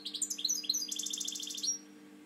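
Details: Caged European goldfinch pouring out a continuous high tinkling twitter: fast chirps, then a rapid buzzy trill, ending on a thin sustained whistle. A steady low electrical hum sits underneath.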